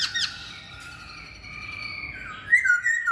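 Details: Masked laughingthrush singing a harsh squawky opening, a long steady whistled tone, then bright rising and falling whistles near the end.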